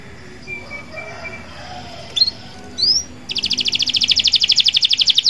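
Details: Local canary in lively song meant to stimulate other canaries: quiet start with two short rising whistles, then a dense, rapid high trill of evenly repeated notes growing steadily louder.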